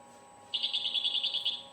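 A European goldfinch fires off a rapid rattle of high, buzzy notes, about ten a second for just over a second, like a volley of shots. A faint steady hum sits underneath.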